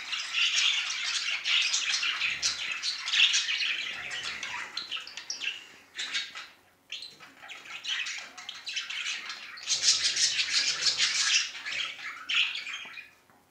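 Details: Male budgerigar showing affection, warbling in fast rattling, squeaky bursts broken by short pauses, then resuming with dense chatter before fading out.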